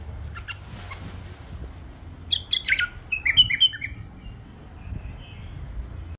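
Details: Tame bulbul delivering a brief burst of loud chirps and whistled slurs in the middle, followed by a soft drawn-out whistle, with quiet background hum and occasional clicks.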